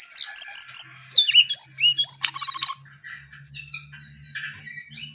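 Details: Brown-eared bulbul singing hard: rapid high warbling and whistled notes for about three seconds, fading into quieter scattered chirps over a low steady hum.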